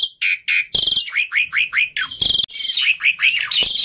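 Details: Black-winged myna singing steadily, used as a lure to prompt other birds to sing: clear upslurred whistles mixed with harsh grating bursts, the whistles repeated several times in quick succession.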